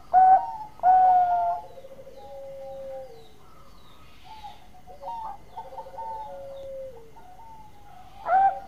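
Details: Actively singing zebra dove, for luring: two loud bursting coos, long soft drawn notes sliding downward, a quiet run of short staccato notes, then a final loud coo.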